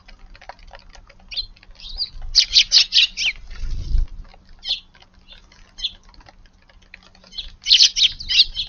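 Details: Eurasian tree sparrow in a garden at first light on 2/6: bursts of rapid, buzzy chirps in tight clusters, scattered single chirps between them, and a dull low thud midway.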